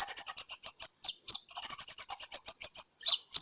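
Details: Lure call of a sunbird for attracting birds, Pajampangan, Sukabumi: a long, rapid string of high pulsed notes, briefly interrupted by sharp lower-slurred chips.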